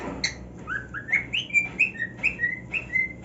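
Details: Cockatiel male singing on his new nest, happy: quick, bright whistled notes, each a short upward or level slide, repeated roughly every half second.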